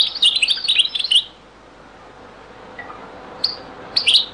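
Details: European goldfinch, Beni Messous 'les avocats' (zaboka) song style, very old recording; a fast, bright, jingling run of notes for just over a second, a long pause, then two brief high chirps near the end.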